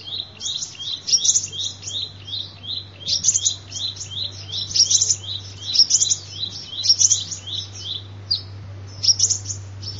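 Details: Sunbird song used as a lure call: rapid, continuous high-pitched twittering of thin chirps and short trills, steady throughout, over a constant low electrical hum.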